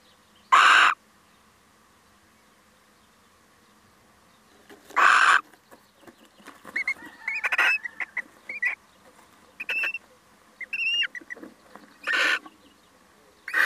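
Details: Male little owl visiting, giving three loud, harsh, broadband calls spaced several seconds apart. Softer chirps and short whistled notes from other birds fill the gaps between them.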